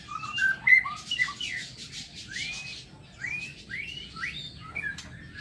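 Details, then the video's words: White-rumped shama in an aviary during a morning song, giving scattered whistled notes and short slurred upward phrases with pauses between, quieter and sparser delivery. "Tiếng Chích Chòe Lửa độc lạ hay"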